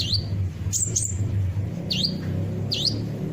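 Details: Lure recording of kolibri ninja sunbird song to set caged birds singing: a few thin, high whistles, each dipping down then sweeping back up, spaced irregularly over steady low hum.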